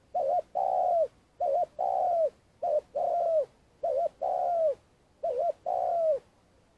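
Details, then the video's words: Spotted dove kept as a decoy in Vietnam to lure wild doves for trapping, giving its long calling: a soft hoarse coo series, each phrase a quick wavering double note then a long drawn-out falling coo, repeating about every 1.2 seconds. "Cu gáy mồi cây - gáy gọi dài"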